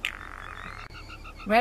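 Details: Female Blue Jay rattle, made by females only, often as an alert when another jay intrudes: a dry, rapid run of clicks, first blurred, then choppier distinct pulses, before a person's voice cuts in.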